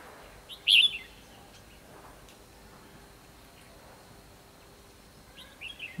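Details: Red-whiskered bulbul giving a fighting song during trapping on 24 December 2015: one loud, wavering whistled phrase early on, then near silence, with faint chirps at the close.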